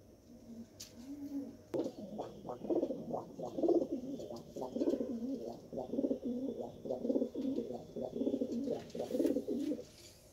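A pigeon gives soft, low, throaty coos in a continuous rolling series.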